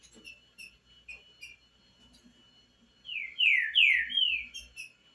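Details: Green-winged saltator singing a few phrases on a cold day: soft scattered notes, then four loud, clear, downslurred whistles in quick succession, each falling sharply.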